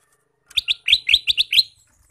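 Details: Male sooty-headed bulbul (kutilang emas) used as a decoy to attract wild birds, giving a lively run of about seven clear whistled notes, quick and bouncy, some rising, delivered in just over one second.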